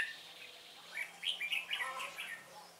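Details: Red-whiskered bulbul decoy singing during trapping to provoke wild rivals; a fairly faint run of quick, slurred whistled notes in a hurried phrase over a steady background hiss and a low hum.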